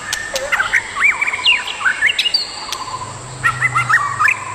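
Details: Adult white-rumped shamas, a pair in the wild, sing looping whistled phrases that dip and climb, with sharp clicks between, over a steady high insect buzz.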